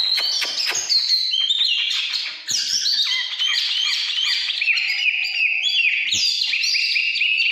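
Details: Oriental magpie-robin in căn lửa form: harsh, scratchy notes open into a dense stream of rapid, repeated whistled phrases that run on steadily to the end.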